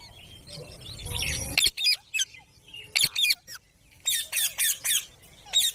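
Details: Green parrots giving harsh, high squawks in short bursts, roughly several per second, separated by brief pauses, after an opening stretch of low rumbling noise.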